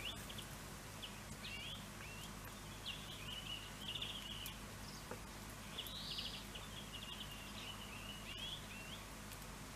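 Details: Pine grosbeak in Finland at Neljän Tuulen Tupa, March: a run of short, warbling, whistled notes, loose and irregular, some with quick trills, over a low constant hum.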